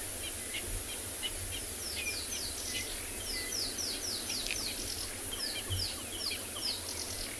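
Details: Rattling Cisticola, a small, plain brown but noisy bird, on a January morning safari in a South African game reserve: quick bursts of high, dry, downslurred notes run into rattles every second or so, over a steady low engine-like rumble and hiss.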